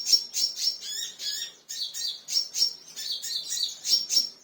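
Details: Crimson sunbird calling agitatedly, provoked by a lure sound: bursts of high, thin chirps and sharp tweets, rapid and uneven, about four per second, with a few lower downslurred notes; no other clear sounds.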